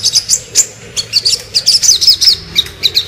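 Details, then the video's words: Crimson sunbird (sogon) giving rapid, very high, thin chirps and twitters in quick bursts, several per second, with little else in the background. "burung sogon ngobra"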